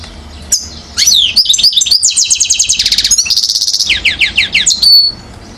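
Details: A one-year-old European goldfinch from Mouzaia, Algeria, recorded 2012, sings twittering notes leading into a long rapid rolling trill, then descending slurred notes ending on a sustained whistle.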